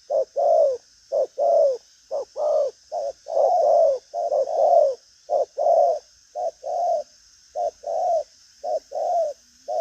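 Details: Lively spotted dove, a strong cooer, delivers steady driving coos. Each unit is a brief low note followed by a longer rounded coo, repeated roughly once a second over a quiet background.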